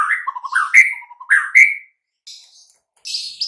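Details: Master recording of a white-rumped shama for making quiet shamas sing: rich whistled notes sliding up, a short low trill, then faint high hissing notes after a pause.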